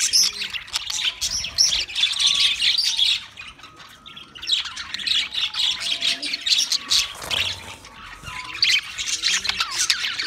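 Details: Budgies kept as pets sing in a busy group, mixing scratchy warbling, sharp squawks and quick chirps; the chorus thins briefly midway, then resumes, with faint low tones underneath.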